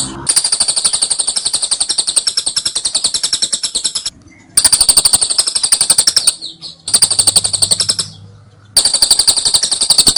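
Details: Lovebird ngekek song, a long trilling chatter used as a training recording: rapid, buzzy, high repeated notes about four per second in long unbroken bursts of several seconds, separated by short silences, one gap with a faint low hum.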